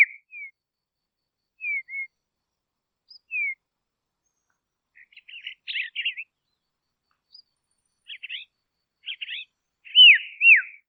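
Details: Dusky robin from Tasmania, Australia, calling with short falling whistles, then scratchy chirped phrases, ending in two louder downslurred whistles; quiet background.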